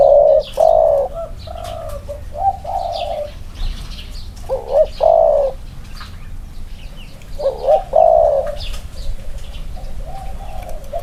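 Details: Caged male spotted doves, two birds compared side by side: repeated low coo phrases with quavering emphasized notes separated by pauses, plus light chirping of other birds in the background.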